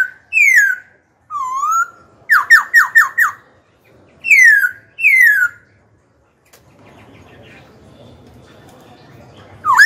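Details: Black-throated laughingthrush, young kept bird, singing to goad rival birds and train young ones: loud falling whistles, a rising wavering note, a quick series of five slurred notes, two more descending whistles, then quiet background hiss.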